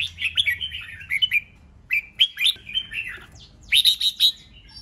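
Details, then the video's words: Provoking song of the red-whiskered bulbul for competition: continuous rolling, whistled phrases of many quick slurred notes, a short pause, then more bright warbling ending in a high, ringing flourish. "Chào mào CHÉ NẸT CỰC SUNG kích bổi căng lửa nhanh ché/ âm kích nghe là đấu,nghe hót,sổ bọng căng lửa"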